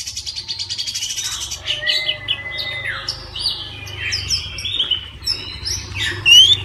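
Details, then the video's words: Oriental magpie-robin in full song at midday, used to prompt other magpie-robins to sing; varied whistled and chattering high phrases, a long flat whistle near the start, with a low steady hum underneath. "KACER NGEPLONG SIANG HARI COCOK UNTUK PANCINGAN KACER AGAR NGEPLONG DAN RAJIN BUNYI"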